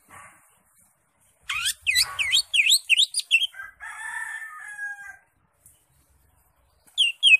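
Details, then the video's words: Greater green leafbird (cucak ijo) in ngekek song style: a rapid run of sharp slurred whistled notes, some swooping up and down, then a steadier buzzy trill. A brief burst returns near the end. "CUCAK IJO SUPER NGEKEK"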